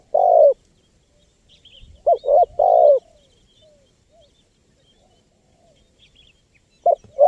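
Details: Spotted dove cooing, played to attract wild birds: one rich coo, then a phrase of two quick notes and a long falling coo, and a final short note. Faint high chirps of other birds in the background.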